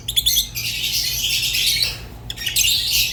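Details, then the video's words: Singing pet lovebirds, rosy-faced and Fischer's, giving a few sharp clicks, then a sustained buzzy warble, a short break, and another burst of scratchy chirping. "تغريد ولا أروع | روز و فيشر غندور بصوت ساحر وممتع"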